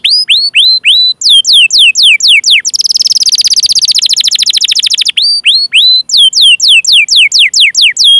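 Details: Canary song intended to spur other canaries, including young ones, to sing: rows of rising hooked whistles, a middle burst of rapid buzzy rolling trill, then more looped chirps.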